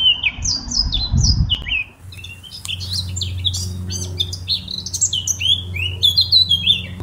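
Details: Eurasian blackcap (Sylvia atricapilla), song.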